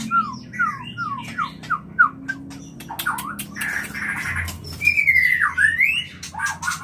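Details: White-rumped shama mating call for inducing breeding: a series of short descending whistled slurs repeated quickly, followed by harsh noisy notes and a long buzzy trilled whistle, over a low background rumble.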